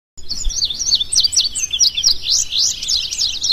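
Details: Indigo bunting singing: a bright, high, rapid series of sweeping whistled notes, paired and slurred up and down, delivered continuously over faint background noise.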